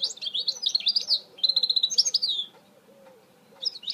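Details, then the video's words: Mule goldfinch hybrid sings lively, high twittering phrases, including a rapid evenly pulsed trill. After a pause, a new phrase begins, accompanied by soft repeated low coos and hum. "Chant mulet chardonneret تغريد هجين الحسون"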